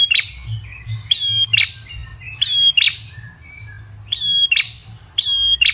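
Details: An Ashy tailorbird (Orthotomus ruficeps), used as a lure sound, gives sharp, high chipping notes in quick clusters, repeated about once a second with short pauses, over a faint low hum.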